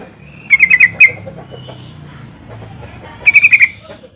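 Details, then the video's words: Sooty-headed bulbul lure call meant to get quiet birds singing: two quick bursts of four or five sharp, ringing notes, separated by about two and a half seconds of soft background hum. "pancingan trucukan ini benar AMPUH bikin trucuk macet langsung auto gacor"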